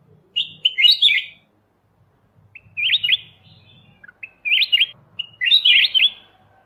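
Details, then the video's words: Golden white-eyed bulbul (kutilang emas mata putih) singing on a master recording for training songbirds: four short, bright, warbled phrases of quick rising-falling notes, spaced about one to two seconds apart, with a faint low hum early on. "suara masteran Kutilang emas mata putih"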